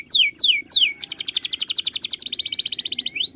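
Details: Canary song for training birds: three loud falling whistled sweeps, then a long fast pulsing trill shifting to a slightly lower rapid trill, ending on a rising note.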